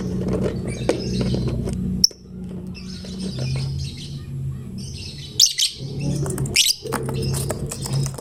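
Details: Lovebird, a chatty fighter meant to draw other lovebirds into song, gives faint scratchy twittering, then two loud shrill buzzing bursts a second apart near the end, over a constant low hum.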